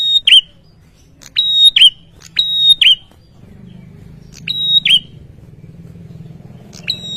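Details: Ashy tailorbird reacting excitedly to a lure sound: four rapid phrases of click, steady shrill whistle and looping drop in the first three seconds, a fifth after a gap, and a final whistle at the close, with low background rumble.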